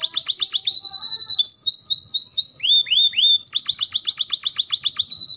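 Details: Canary in lively, nonstop song: fast high trills of repeated notes, then a run of rising, sweeping whistles, then another quick rattling trill, bright and continuous with no other sounds.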